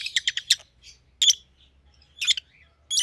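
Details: Pet rosy-faced lovebirds in white-headed opaline colours give a quick run of four harsh chirps, then two louder squeaky bursts after pauses.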